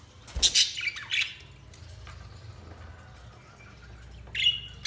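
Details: Budgerigars give a few short, harsh chirps and squawks early on. After a quiet stretch with faint, soft notes, one more brief scratchy chirp burst comes near the end.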